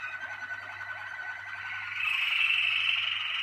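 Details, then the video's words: Malinois Waterslager canary, a bred singing canary, delivering a sustained rolling, water-like song, quieter and pulsed at first, then louder and fuller for the final second and a half. "Malinois Waterslager equipo 2019"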